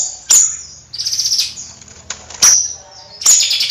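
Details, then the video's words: Bayeman in energetic nyrecet song: isolated piercing high chips separated by pauses, with a short burst of rapid buzzy trills between them against a quiet background. "Suara Kicau Bayeman Nyrecet Gacor Kicau Bayeman Siri Siri"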